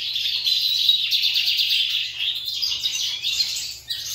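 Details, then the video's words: Several lined seedeaters kept by their owner compete in song, giving a dense, fast, high twittering with rapid repeated notes and buzzy trills that overlap continuously. "Meus bigodinhos disputando canto"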